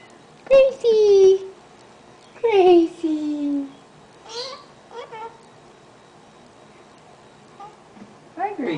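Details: Pet Eclectus parrot cooing indoors: soft, descending gliding notes, each sliding downward and trailing off, with a few short murmured sounds and brief quiet chirps between them.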